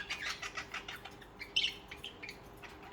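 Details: Budgerigars, social birds kept as pets, singing and chirping: a quick run of short buzzy chirps and warbles, with one louder squeak near the middle.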